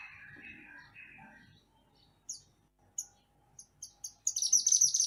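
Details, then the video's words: {'_': 'Mantenan gunung songbird in a master recording for songbird training: scattered sharp high chips, then a fast high twittering burst at the end; faint lower sounds at the start.'} "Mantenan Gunung Gacor Burung Masteran Untuk Burung Kicau"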